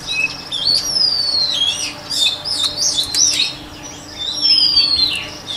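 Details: White-rumped shama training song with long, clear descending whistles mixed with short warbled phrases and chips, rising and falling in loudness throughout.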